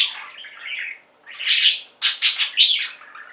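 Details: Budgerigars from a pet singing flock give a buzzy, scratchy warble, then a short gap and a run of loud clipped chirps and chatter.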